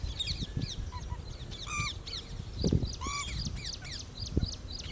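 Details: Pheasant-tailed jacana, foraging for food in a lake, giving two nasal, mewing calls rich in overtones, set among busy high chirping from other birds and a low rumble of wind noise.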